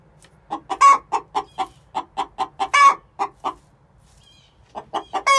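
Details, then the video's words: Pre-laying egg song of six-month-old hens: steady series of short clucks roughly four per second, punctuated by two louder stretched squawks, a brief pause, then more clucks ending in another long cry. "Chicken song before they lay"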